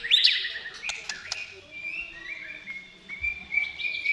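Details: White-rumped shama song to provoke shamas into singing: a few sharp notes, then softer, long, level whistles and thin slurred phrases, quieter overall.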